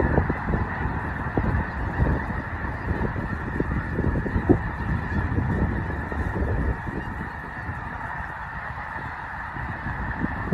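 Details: Several thousand snow geese gathered in fall at Loess Bluff National Wildlife Refuge, northwest Missouri; countless honking voices blend into a steady, deafening din, easing slightly toward the end.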